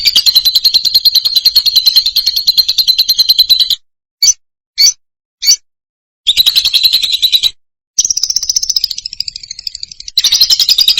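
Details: Lovebird singing loudly in long bursts of rapid, buzzy chatter broken by a few short squeaks and gaps, then a higher, wavering squealing chatter that returns to the dense buzz.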